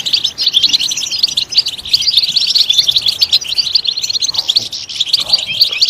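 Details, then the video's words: A European goldfinch sings in a loud, lively voice, pouring out dense, high twittering phrases packed with rapid chirps and tinkling trills. "Stimulating a goldfinch clip to make it chirp in a loud and wonderful voice"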